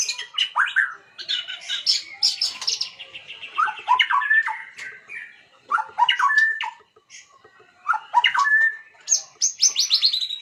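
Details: White-rumped shama lure song to make other birds sing: bursts of squeaky whistles and chattering trills in phrases separated by short pauses, ending with a high descending whistle.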